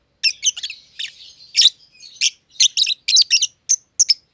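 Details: A young green personata and an older green pied personata lovebird chattering together in an aviary; scratchy, high chirps in quick succession with a thin continuous twitter beneath.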